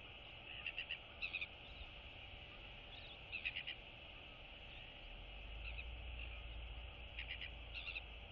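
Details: Royal albatross chicks interacting with neighbours in the colony; clustered rapid clicking chatters in several bursts, with low rumbling noise later.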